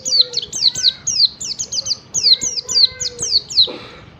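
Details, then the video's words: Oriental white-eye, a yellow-breasted bird singing in the wild in the morning: rapid, high twittering of descending slurred whistles repeated about every third of a second, with faint lower chirps of other birds behind. "pancingan pleci bahan agar cepat ngeriwik 🎶, pleci ngalas pagi hari"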